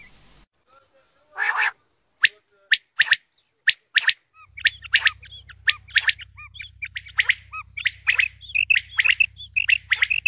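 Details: Female common quail giving a sequence of short sharp notes, spaced at first and then crowding into a rapid run of clipped calls, a steady low hum entering midway.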